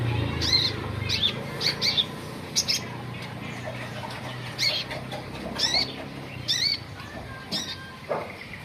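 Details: Olive-backed sunbird in lively daily singing form, giving sharp, high chips and short upward-sweeping notes in separate bursts roughly every second, with soft fluttering sounds and a low background hum.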